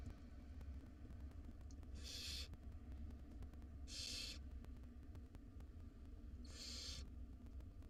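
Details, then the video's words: Wild barn owl nestlings, five of them, in a monitored nest box at feeding time, giving three harsh, breathy hissing screeches about two seconds apart over a low steady rumble. "Dinner time for 5 hungry barn owl nestlings."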